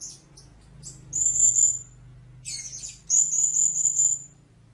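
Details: Shrill, high sustained call notes of a blue-crowned hanging parrot, a harsher buzzy note between two long thin whistled tones, with a low steady hum underneath.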